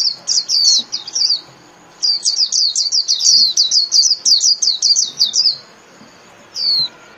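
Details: Japanese white-eye song in the 'líu' manner for caged-bird training: a short burst of high chirps, a pause, then a long rapid sequence of sharp twittering notes, ending with one lone sweeping whistle.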